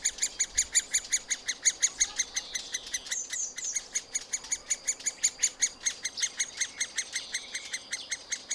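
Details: Middle spotted woodpecker chicks begging in a tree-cavity nest during feeding: fast regular train of piercing, high chipping notes, briefly broken by a harsher squeal midway before the rhythm resumes.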